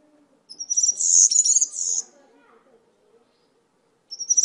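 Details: Brief European serin song phrase of rapid, high, glittering twitters lasting about one and a half seconds, with a quiet low murmur underneath and the start of another phrase at the end.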